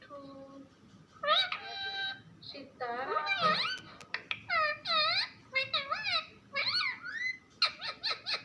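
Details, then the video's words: Talking parrot producing varied rapid word-like phrases, some bending up in pitch, ending with quick clipped syllables in close succession. "Funny parrot talking video | mitthu videos | mittu ki awaaz"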